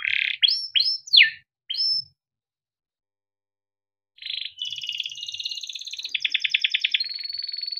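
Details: Male yellow canary kept in a cage, singing to stimulate young canaries: a few loud sweeping chirps, a two-second pause, then buzzy notes and a fast pulsed roll into a held tone.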